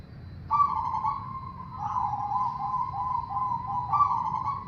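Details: Perkutut, or zebra dove, delivering a long continuous song to draw other doves into singing: a rolling, purring coo sustained for about four seconds with a renewed stronger note near the end.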